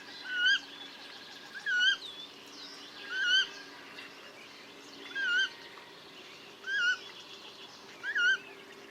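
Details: Wetland coot giving a series of six short, clipped, downslurred calls, roughly one every one and a half seconds, each with bright overtones, against a quiet low hum.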